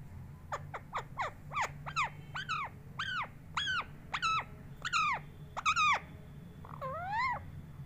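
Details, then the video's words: Pet parrot said to be talking, giving a quick series of sharp, harmonic chirps that sweep downward, roughly two to three per second, and ending with a rising, wavering note. A steady low hum sits underneath. "तोता कैसे बोलता है।"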